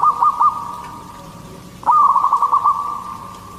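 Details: A local captive zebra dove, a strong singer used to lure other doves, gives a soft, steady cooing trill with quick rolling notes, pausing briefly before another burst; the background is quiet.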